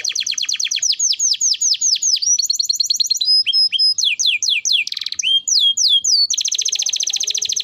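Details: Lively canary song used as a bird training recording, running through a series of tours: rapid repeated downslurred whistles, a buzzy rattle, a steady high tone, more falling notes and a dense trill at the end.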